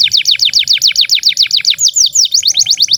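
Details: Canary delivering rapid repeated falling notes in a rhythmic series, slowing slightly midway before speeding up again; long song intended to tutor young canaries and ones that went quiet.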